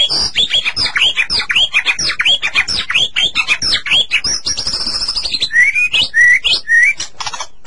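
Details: White-rumped shama song used as a master recording to stimulate captive shamas to sing: rapid repeated chirps and sharp notes, a long high whistle around midpoint, then three rising whistled phrases, busy and varied throughout.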